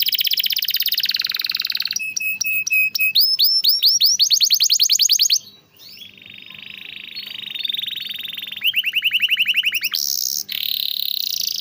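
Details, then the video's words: Singing canary used to coax silent or stalled canaries into song: a dense buzzy trill, then clipped high notes turning into rising sweeps, a sustained even roll, and a fast series of rising whistles before further trilling. "masteran burung kenari rajin bunyi cocok buat pancingan kenari susah bunyi/macet"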